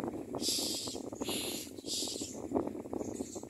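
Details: A common myna chick begs for food from its parent, giving harsh, hissing begging rasps in bursts about every half second to second, over low rustling and wind-like background noise.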